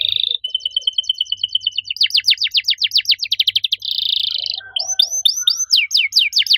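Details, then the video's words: Canary singing a loud 'gacor' song with a distinctive 'cengkok' phrasing: a fine fast trill becomes steep falling sweeps about four per second, then a dense buzz and a run of curled rising-falling whistles. "Kenari gacor suara nyaring cengkok unik"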